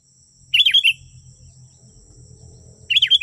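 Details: Sooty-headed bulbul lure song: two bubbly four-note phrases about two and a half seconds apart, with a low rumbling hum underneath and a high constant whine.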